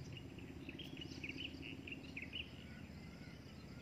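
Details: Adult breeding drongo uttering a quick series of short warbled chirps in the middle of the clip, roughly evenly spaced, over constant low hum and hiss.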